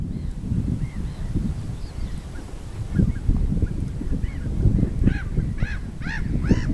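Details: Swans on Lake Võru. Brief nasal honking notes with arched, bugle-like tones that grow more frequent toward the end, several in quick succession, over a constant heavy low rumble.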